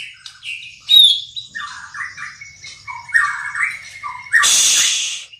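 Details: White-rumped shama composing its song, a varied run of short whistled and warbled phrases between about one and four kilohertz, with a harsh burst of noise near the end.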